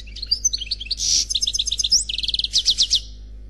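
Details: Unpaired male European goldfinch, khalwi style, singing: fast high twittering, a rapid run of sharp chirps, rattling buzzy trills and repeated liquid notes, delivered in a dense burst over a low steady hum.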